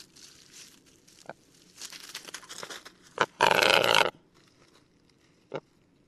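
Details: Male Western capercaillie song from Lithuania: scattered soft clicks and a few sharp pops, then a loud hissing, grinding burst lasting under a second, followed by a single final click in quiet surroundings.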